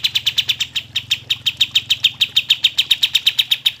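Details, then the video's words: Energetic kapas tembak bird, played to coax reluctant birds into singing, delivers a rapid, even stream of piercing high chirps, roughly six per second, without pause for the whole stretch; faint low hum in the background. "kapas tembak gacor cocok untuk pancingan kapas tembak yang malas bunyi"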